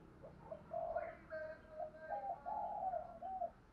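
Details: Spotted dove luring other doves: a series of low, drawn-out cooing notes over a noisy background with faint higher sounds.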